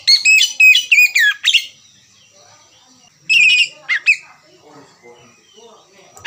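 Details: Oriental magpie-robin (kacer) singing as a lure to start chattering song: loud bursts of quick whistled and buzzy notes, then a pause with a faint steady tone, then further sharp whistled phrases.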